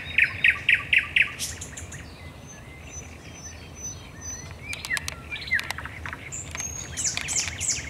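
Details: Thrush nightingale's night song at the Raszyn Ponds, Poland, 10 May 2021: five loud pulsing notes repeated rapidly, a rasping burst, then softer varied whistles and clicks over steady background hiss.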